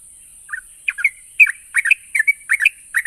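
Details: Yellow-vented bulbul song, used to get stalled birds calling: rapid, loud chortled note pairs repeated roughly every third of a second, rich and slightly scratchy, over a constant high background hiss.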